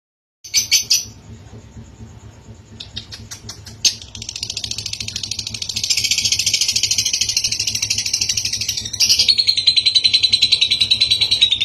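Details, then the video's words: Lovebird ngekek song meant to prompt a reply: a few scattered sharp bursts and clicks open, then a long, fast chattering trill builds and continues steadily, growing louder near the end. "Suara pancingan lovebird ngekek panjang pasti langsung nyaut"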